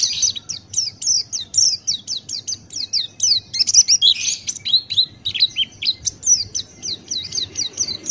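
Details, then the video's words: Buxtoni white-eye (pleci), a singing male, delivers 'ngalas' open-beak song. Fast, evenly spaced high chirps form a long chattering run, with a brief buzzier burst in the middle. "Masteran Pleci Buxtoni Ngalas Buka Paruh"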